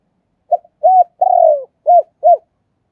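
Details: Spotted dove kept as a decoy (cu mồi) calling in captivity: a brief clipped note, an arched coo, then a long throaty croon that drifts downward, followed by two more short arched coos; no other sounds.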